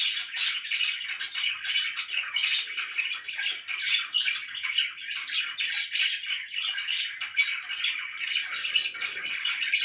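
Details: Indoor pet budgerigars keeping up constant chatter, a blurred stream of overlapping chirps and warbling notes at a steady level throughout.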